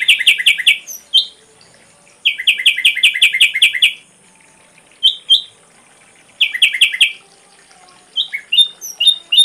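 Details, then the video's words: Tutor recording of an ashy drongo's full repertoire for songbirds: bursts of rapid stacked, rattling notes separated by silent gaps, mixed with single sharp whistles and short chirps. "Masteran srigunting abu abu isian lengkap"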